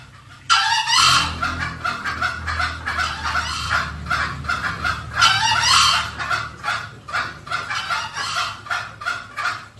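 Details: Green junglefowl lure sound for attracting wild birds: a sudden loud rising call, then a dense series of harsh, crackling, clucking calls that repeat rapidly and fade unevenly toward the end.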